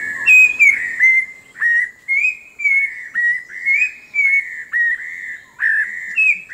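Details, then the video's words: Orange-breasted laughingthrush in dense forest-edge scrub of the Langbian Plateau, southern Vietnam: loud, clear whistled notes repeated roughly twice a second, each slightly curved, in a steady run. "Orange breasted Laughingthrush"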